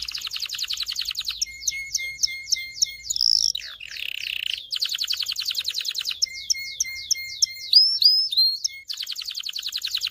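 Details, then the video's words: Excited canary singing to stimulate males and excite females to mate: rapid high trills alternate with repeated downward-sliding whistles, a harsh buzzy burst midway, then more slurred whistles and trills. "غناء طائر كناري لتدريب والتسميع ذكور الكناري على الغناء Canary singing"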